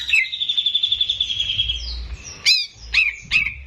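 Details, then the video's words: Greater green leafbird, a caged bird, singing for training young birds: a long sustained high trill held steady for about two seconds, then three sharp, descending slurred whistles, over low background rumble. "CUCAK IJO GACOR || PAS BUAT PANCINGAN BURUNG BAHAN"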